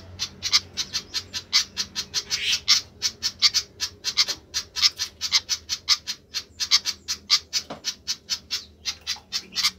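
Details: Noisy flycatcher calling insistently: a fast, steady stream of harsh, scratchy chattering notes, roughly four per second, with no pauses and little other sound.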